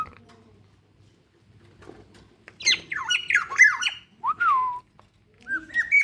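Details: In the morning at Ijen, Bondowoso, a local black-naped oriole starts with a rasping, scratchy outburst, then gives a mellow downward-slurred whistle and, after a pause, a short rising fluty phrase.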